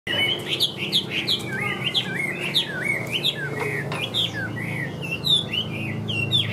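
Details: Caged Chinese hwamei singing well in an even voice: a fast, varied run of loud whistled notes, sweeping up and down and sliding between phrases with barely a pause, over a low background hum.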